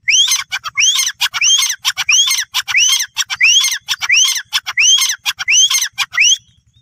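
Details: A captive-bred male and female grey francolin pair in Rahim Yar Khan, Pakistan, call together into a microphone: loud, harsh repeated phrases, each ending in a rising whistled note, about every 0.7 seconds.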